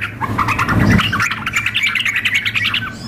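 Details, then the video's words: Female sooty-headed bulbul calling a male alongside an energetic bird: a muffled rumble at first, then a string of bright, rising chirpy notes repeated quickly, over low steady hum. "trucuk memanggil dengan trucuk gacor mengamuk"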